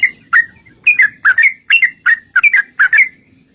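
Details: Sooty-headed bulbul in fighting, long rolling 'ropel' style, used as a lure to make other bulbuls answer; bubbly whistled phrases of two to three liquid notes, repeated about every half second, on a quiet background.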